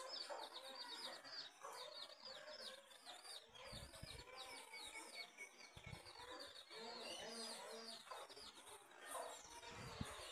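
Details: Hens and chicks together: a run of rapid, high arching chick cheeps, then lower murmuring clucks and mixed chatter, with brief low thumps and some background noise.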